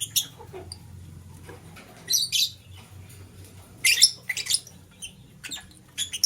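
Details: Green lovebird chirping in the morning while a blue lovebird scrambles for vegetables; short harsh, buzzy chirps come in scattered bursts with quiet gaps between them, over a low steady hum.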